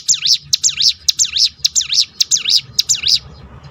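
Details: Ciblek gunung (hill prinia) 'tembakan' roll, used as a lure to set other birds singing: seven clear, high, looping down-up notes in quick even succession, each spaced about half a second apart.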